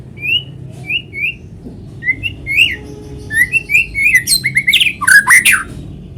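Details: Natural white-rumped shama song used to lure other shamas into singing: three evenly spaced rising whistles, then quicker whistled phrases ending in a loud, harsh, complex flourish.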